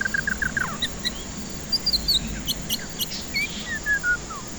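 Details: White-rumped shama song used as a lure to coax stressed birds that won't sing: a run of short downslurred whistles, then higher sweeping whistled notes and falling slurs, over steady faint background hiss.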